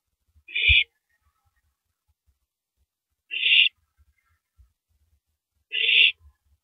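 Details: At 3:33 AM on April 9, 2012, an owl tears at a large rabbit before downing it; three harsh, hissing screech bursts roughly every two and a half seconds, with soft thumps from the nest.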